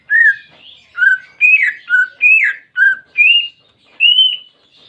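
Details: Captive greater green leafbird song used as therapy for a bird that stays silent: a lively series of eight loud, clear whistled notes, alternately rising and falling, repeated about every half second.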